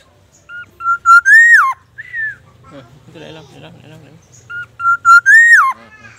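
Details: Black-naped oriole, singing persistently and mimicking magpie robin and ambulance siren: a loud fluted whistled phrase that holds level, swoops up and then drops, given twice with softer whistled notes between and faint low hum beneath.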